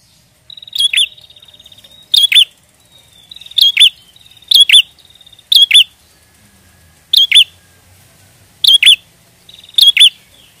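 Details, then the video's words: Prenjak song used to lure prenjak for trapping: eight phrases, each a rattling buzzy trill ending in two loud piercing chirps with a looping drop, repeated every one to one and a half seconds. "Pancingan prenjak gacor ampuh pikat burung prenjak"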